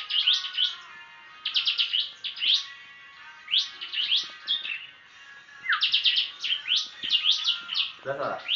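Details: Tame, very vocal prinia with a distinctive chirping song: rapid bursts of sharp, high chirps and descending notes, grouped in clusters separated by short pauses, ending with a lower squawk.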